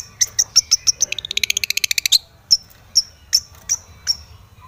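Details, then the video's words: Long-tailed shrike in full aggressive song, as if seeking a rival: sharp, high, clipped notes in a quick series, then a fast rattling trill lasting about a second, then more single piercing notes spaced roughly half a second apart. "cendet gacor MENCARI LAWAN"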